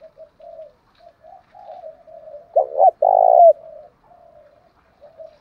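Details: Spotted dove calling to draw out rival males: a string of soft, low murmuring notes broken by a loud double note and a long rolling coo, then more quiet murmurs.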